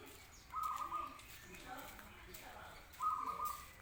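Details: Zebra dove in calm song: two separate rolling, purring coos of even pitch about two and a half seconds apart, faint background hiss between them.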